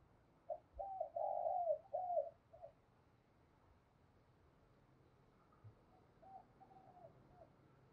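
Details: Spotted dove kept as a decoy for luring wild doves. A clear run of several mellow coos at the start, then near quiet with only faint, distant coo notes over steady low hiss.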